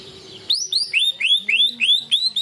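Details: Greater green leafbird (cucak ijo) singing 'materi ngunci kenari' canary-style material, used as a lure to excite other leafbirds: a rapid series of clear, upward-sweeping whistled notes, about three per second, after a half-second of quiet hiss.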